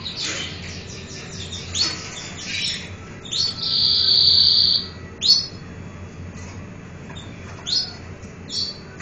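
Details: Canary song of quick chattering trills at the start, then a bright sustained high whistled roll around four seconds, followed by short sharp repeated chirps spaced a second or two apart.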